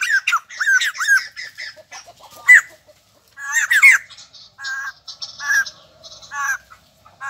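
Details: A white-crested laughingthrush, new to captivity, gives short arched squawks in groups, separated by gaps, then scattered buzzy notes.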